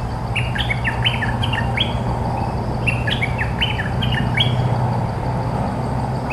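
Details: Cream-vented bulbul defending its territory against a decoy call, pouring out two rapid phrases of bubbly, jumpy notes that rise and fall, each phrase lasting about two seconds, over a low hum.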